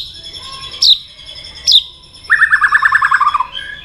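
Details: White-rumped shama stirred to fight-sing: two sharp high falling notes a second apart, then a quick rattling trill of about a dozen repeated notes dropping slightly in pitch.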